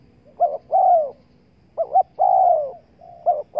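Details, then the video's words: Spotted dove call used to lure wild doves: clear, low hollow coos, a short double note followed by a longer drawn-out falling coo, the phrase repeated about every one and a half seconds. "Chim cu gáy chiêu kích mồi tập bổi nhanh nổi hiệu quả"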